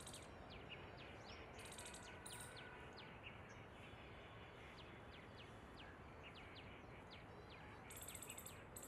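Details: A pair of Asian green bee-eaters, recorded at 11 am on 3 December 2022, give short, sharp chirps every half second or so over a steady hiss; brief high insect buzzes come in twice.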